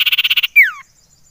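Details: Common iora (cipoh) lure call: the tail of a fast buzzy trill, then a loud sweeping whistle sliding steeply downward, with silence after.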